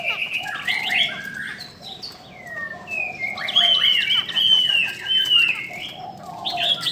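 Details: Female Chinese hwamei exciting males with a busy stream of whistles, trills and slurred notes, loudest in the middle, over a low warbling band.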